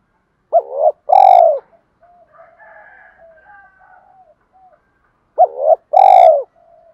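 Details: Spotted dove cooing to provoke rival wild doves. Two identical phrases, each a hooked lead-in note and a loud rolling coo, come about five seconds apart, with faint distant cooing between them.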